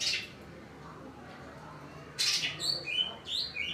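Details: Greater green leafbird, scolding after the weather suddenly turned cloudy: after a quiet start and a short noisy burst, a run of sharp, varied whistled and chattering notes jumping between high and very high pitches.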